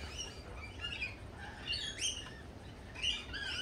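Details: High, squeaky lorikeet calls at a cafe, thin rising and falling chirps with a louder burst near the end, over a low, steady rumble.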